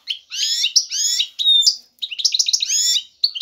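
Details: European goldfinch male in breeding condition, calling to a female to court her. Bright, tinkling twittered phrases with rapid chirps and a short clear whistle, delivered in quick bursts separated by brief pauses.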